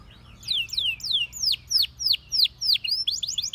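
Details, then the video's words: Canary song: a run of loud downward-sweeping whistled notes, about three a second, fairly even in pace, all high-pitched and clear over a quiet background. "Canary Singing Bird Sounds"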